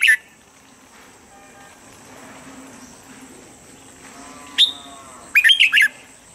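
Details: Red-whiskered bulbul as standard voice for morning bird training: a lone chirp, a long near-silent gap with faint background hum, a single high whistle, then a fast cluster of four warbled notes.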